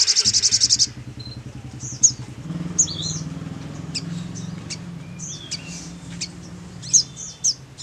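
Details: Crimson Sunbird lure call said to draw responses: sharp, very high, thin chips and tsit notes at irregular intervals over a low engine rumble, with a buzzy burst at the start.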